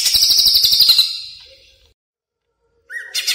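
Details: Greater green leafbird kept in a cage as a training bird for other songbirds, giving a fast high buzzy trill that fades out, then a short rising whistle after silence.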